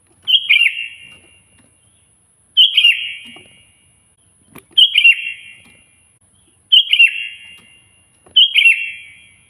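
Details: Sooty-headed bulbul, called kutilang, singing loudly to summon a rival: five short chirpy phrases roughly every two seconds, each a quick cluster of liquid, slightly falling notes with a lingering echo; a faint high whine persists in the background.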